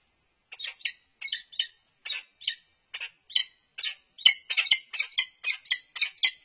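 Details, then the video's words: Peregrine falcon pair during courtship in a nest box on a livestream at UC Berkeley, 1 April 2022: series of short, harsh, chittering notes in clusters of two or three, quickening toward the end. "Courtship in Nest Box"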